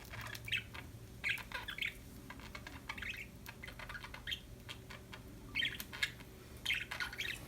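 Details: Happy budgies give many quick, high chirps and chattering notes in clusters over a steady background hiss and a low hum.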